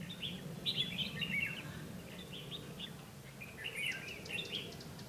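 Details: Red-whiskered bulbul acting as a decoy at a trap on 12 August 2016, singing competitively to draw in wild birds: clear bubbling, slightly slurred phrases delivered in two groups, backed by a steady low hum.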